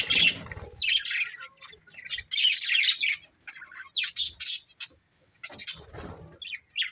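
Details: A budgerigar breeding pair chirps in quick, scratchy bursts, roughly three to four a second, broken by short silent gaps and a few low knocks.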